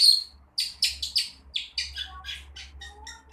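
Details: Young long-tailed shrike learning to sing: a quick run of harsh, buzzy chattering notes, several per second, broad and high-pitched, fading toward the end, with a faint low hum beneath.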